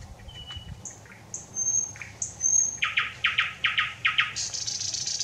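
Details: Thrush nightingale singing, 25 May 2021: soft whistles and short notes build to a string of loud, rhythmic, percussive chock notes, ending in a rising rapid buzz.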